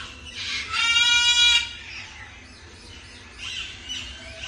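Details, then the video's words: One of a pair of cockatoos gives a single harsh, raspy screech lasting about a second, then faint background hiss and soft distant chatter. "Beautiful cockatoo pair / Birds real sounds"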